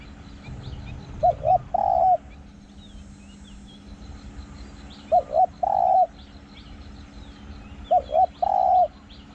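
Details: Spotted dove used to lure others, its small ringing voice carrying through the forest. Three repeated phrases, roughly every three seconds: two brief hoots and then a sustained coo, with light bird chirps and a steady background hum.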